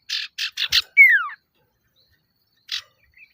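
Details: Male common iora luring rivals: four quick harsh rasping notes lead straight into one loud whistle that drops steeply in pitch, followed after a pause by a single short buzzy note.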